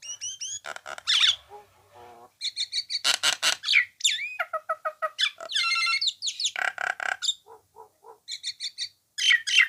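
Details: Common hill myna heard in a training recording for songbirds: a varied mix of loud clear whistles, rising and falling slurred notes, harsh squawks and rapid chattering bursts, delivered in quick phrases separated by short pauses.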